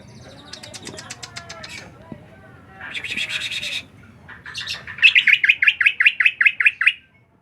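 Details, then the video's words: Bird known locally as ngriwik, a chirping, twittering voice: scratchy rattled bursts, then a run of about a dozen clear repeated chirps near the end, each slightly downslurred. "Cuman burung ngriwik"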